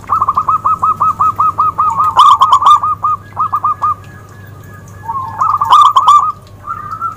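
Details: Zebra dove giving a long chain of rapid, evenly spaced coo notes that swell into a loud staccato burst, then a short pause, a lower rolling trill and a final cooing phrase; low hum throughout.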